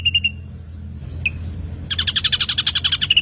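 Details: Ashy drongo singing actively: a few short clear whistles, a single slurred note, then a rapid buzzy series of about twenty sharp pulses per second, layered bright overtones, over a low steady hum.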